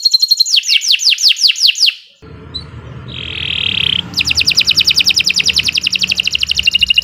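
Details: Canary giving a string of high, falling whistled notes, a pause with soft background hum and a rasping buzz, then a long fast run of clear repeated chirps.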